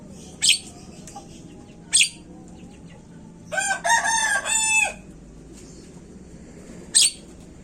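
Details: Asian pied starling, recording used as a lure to set these birds singing quickly: sharp harsh screeches at intervals, with a longer burst of rich, nasal chattering notes in the middle, over a low steady background hum.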